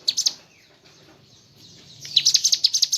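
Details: Mountain leaf warbler singing in a rapid 'ngebren' burst style with filler phrases: a few high chirps, then a quiet gap, then a quick run of sharp, high twittering notes, about two per second.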